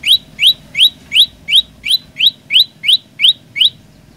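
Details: An olive-backed tailorbird in vigorous song gives eleven bright, rising chip notes in quick, even succession, close and loud, with only a faint background hum.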